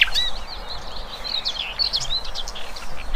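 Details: Wild birds singing in open nature: a chorus of high, thin chirps and short twittering notes overlapping steadily throughout, over a soft low background rumble.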